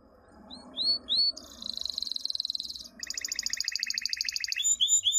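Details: Canary song used for training young birds: whistled upslurred notes, then a fast buzzy trill, then a rapid rolling tour with higher sweeps; faint low background noise.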